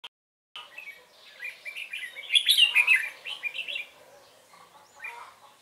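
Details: Red-whiskered bulbul used as a decoy during trapping on 12 November 2017, singing rapid-fire like a machine gun to provoke wild rivals: a run of short warbled, chirpy phrases, loudest in the middle, then quieter notes.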